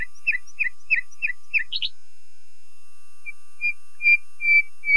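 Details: A common nightingale repeats a doubled chirping motif five times, adds a scratchy burst, then shifts to a rising series of plaintive, swelling whistles.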